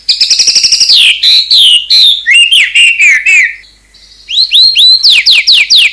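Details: White-rumped shama fill song, fierce in tone: a fast stuttering trill slides into a run of looping whistled phrases, a short quiet gap, then quick rising whistled notes.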